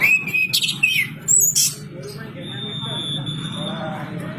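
A quick run of clear whistles and harsh, scratchy notes in the first second and a half, followed by a steady high thin tone over background hiss.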